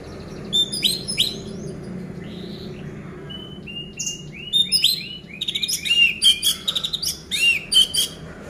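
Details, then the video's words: Kept orange-headed thrush (anis merah) song played to spur quiet birds into singing: varied high whistles, slurs and rapid chattering notes, sparse at first, then a dense run of quick repeated phrases with mimicking twitters. "Pancingan Anis Merah Macet Biar Bunyi Gacor dan Teler Lagi"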